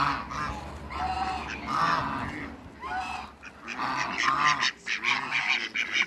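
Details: Mallard, runner and Pekin ducks gathering on a farm at Skydra, Greece, give harsh nasal quacks in overlapping bursts, several birds calling together, with quieter low chatter underneath.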